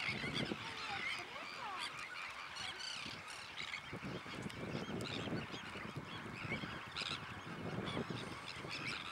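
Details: Sandwich terns calling: a continuous chorus of harsh, grating calls from many birds overlapping throughout, with some thin rising notes early on, over a low background rumble.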